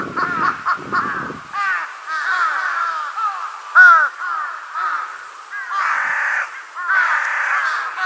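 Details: A young large-billed crow, forehead feathers raised and relaxed, gives a steady stream of hoarse, downward-slurred caws, some short and clipped, others drawn into longer wavering notes; brief low rumbling early on.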